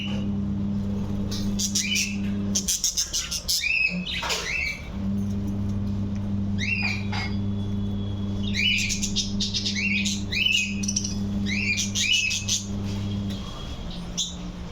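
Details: Budgerigar (Melopsittacus undulatus), contact calls.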